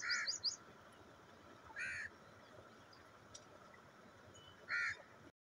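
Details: Grey francolin giving spaced, harsh, nasal call notes, a short high chatter at the start, then single loud calls roughly two to three seconds apart, over steady low hiss.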